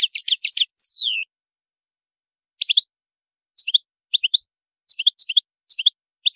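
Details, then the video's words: Singing European goldfinch in a high-maqamat style opens with a fast trill and a drawn-out downward-sliding whistle, followed by sparse paired chirps spaced about a second apart. "تغريد الحسون جميل دو مقامات عالية"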